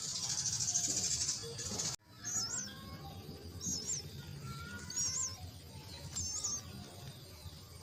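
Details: Myna chicks at the nest being fed: a dense, hissing high chorus for two seconds, then brief looping high squeaks at intervals over a faint rustling background.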